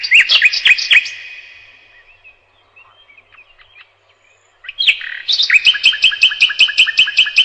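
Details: Nightingale song: a quick series of sharp, bright chirps, a pause with soft quiet notes, then a loud run of rapidly repeated, evenly spaced piping notes.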